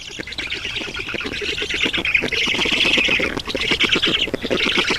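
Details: Black storks at their nest in Estonia, 7 June 2019, late morning while an adult brings water: grating squawks in fast rattling pulses, growing louder and continuing steadily.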